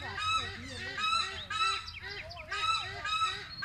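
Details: Wreathed hornbill (Rhyticeros undulatus) at Phnom Tamao wildlife rescue centre, Cambodia, giving loud, harsh, goose-like barking honks in bursts roughly every second, several notes overlapping as though more than one bird calls.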